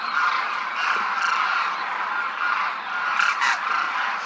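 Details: Crooning chorus from a large formation of demoiselle cranes over a Rajasthan village, India; countless overlapping throaty croaks form a steady roar, with two sharper louder calls standing out late.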